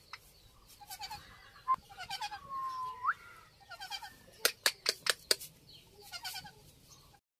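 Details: Ringneck parrots in mating behaviour give soft, stuttering nasal chatter and a long, even whistle that ends in an abrupt upward sweep. A series of five sharp clicks follows, then more chattering notes.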